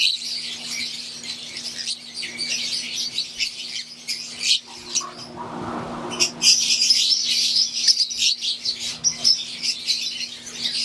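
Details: An aviary group of wild-type green Fischer's lovebirds and Euwing lovebirds chirp and squawk rapidly. About a second of rustling noise interrupts the chorus midway, then the shrill chattering resumes more loudly.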